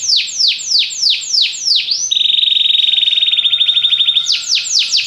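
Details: Belgian canary singing: a run of loud high downward-sweeping whistled notes, then a long fast buzzy trill on one steady pitch, ending with more descending sweeps.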